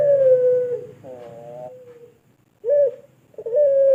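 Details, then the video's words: Pelung turtle dove from Indonesia giving its long call for tutoring other birds: a sustained slightly falling coo, a rolling vibrato note, a short upward hook, then the long coo starting again after a pause. "Puter Pelung Suara Panjang Pass Banget Buat Masteran"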